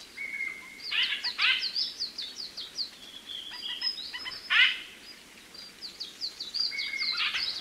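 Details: White-winged grosbeak (Mycerobas carnipes) giving clusters of bright, chattering chirps in irregular bursts, with a few short flat whistled notes between them, over a steady hiss of background noise.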